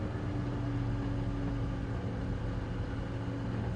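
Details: A vehicle engine drones steadily at sunrise on a safari drive, with a low hum and no animal calls.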